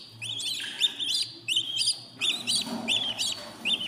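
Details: Baby budgerigars in a new nest at fourteen days old, a series of short, high chirps with a rising-and-falling shape, repeated roughly every half second over a low steady hum.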